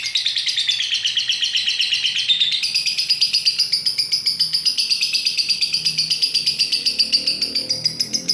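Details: Lovebird bred for fighter-bird duration contests, sounding off while swaying on its perch: a sustained, shrill, rattling twitter of fast repeated notes, roughly four per second, pitch dipping then climbing and holding high; low room noise beneath.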